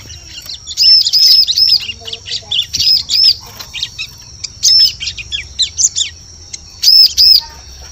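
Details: Bar-winged prinia in a forest bird-lure recording: high arched chirps repeated in pairs and triplets across eight seconds, loud and clear, separated by brief pauses, with a continuous high whine underneath.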